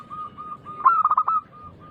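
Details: A loud local zebra dove sings as a lure for other doves. A steady soft coo runs throughout, broken midway by one burst of five or six rapid, rolling staccato notes.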